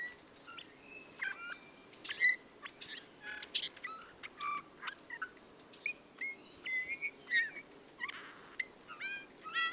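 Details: Eurasian bullfinch (Pyrrhula pyrrhula) song: a quiet, scratchy warble of creaky squeaks, short chirps and thin piping whistles in uneven bursts.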